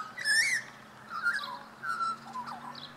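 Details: Australian magpie in Tasmania gives a short bout of clear fluted notes: a bright rising whistle, then two or three mellow dropping tones spaced about half a second apart, over a low background hum.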